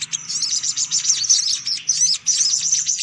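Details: High, shrill twittering of sunbirds from a lure recording, a dense jumble of quick chirps and slurred notes running almost without pause.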